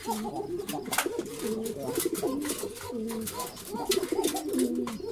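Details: Group of pigeons keeping up a steady chorus of deep, warbling coos that rise and dip, with several birds overlapping throughout. Frequent clicks and tapping from movement nearby.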